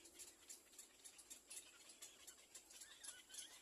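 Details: Little black cormorant chicks waiting for their mother to feed them give rapid, scratchy, high begging notes, about four each second, in a steady, slightly uneven stream.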